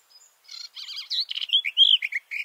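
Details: Male garden warbler recorded about two meters away under a bush: faint high notes lead into a rich, even-paced warble of rolling phrases and mellow descending whistles.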